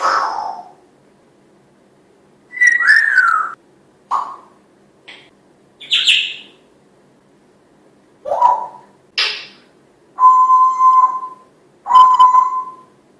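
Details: Talking pet African grey parrot, a female kept by a family, producing a varied string of sounds: clear whistled notes, a falling whistle, short squawks, and two steady flat whistles near the end, separated by brief silences.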